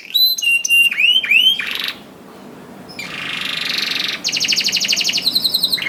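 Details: Canary song to encourage hard-to-start canaries: sharp whistled swoops, a pause, then a buzzy roll followed by a fast high trill.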